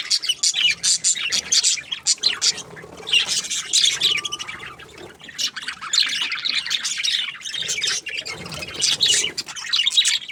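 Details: Several happy budgies produce bouts of fast, scratchy warbling and sharp chirps, pausing briefly between bouts of busy chatter.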